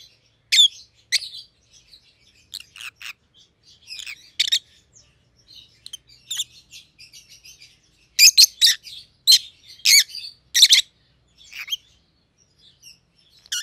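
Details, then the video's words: Rosy-faced lovebirds, a pallid opaline and a green opaline with white heads, chattering steadily, then a dense run of loud shrill chirps midway, sparse twitters before and after. "Rosy-Faced Lovebirds - Chirping and Call Sounds"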